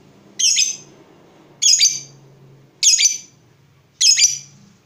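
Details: Lovebird, in a recording meant to stimulate other lovebirds to sing: four harsh, high squawking calls spaced about 1.2 seconds apart, over a faint low hum.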